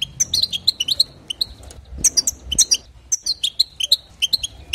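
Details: European goldfinch song for exciting other goldfinches, a fast stream of sweet, tinkling chirps and ringing notes, repeated in rapid phrases with only brief pauses.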